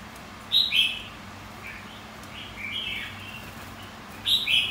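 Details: Red-whiskered bulbul of the white-cheeked kind singing a contest song for training: a bright doubled opening phrase, softer quieter warbles in the middle, then a loud closing phrase.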